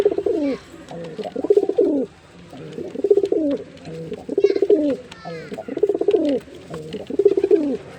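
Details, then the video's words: A male jeera pigeon gives deep, throaty rolling coos in bursts about every one and a half seconds, with faint higher chirps in between. "Male Pigeon Super Performance"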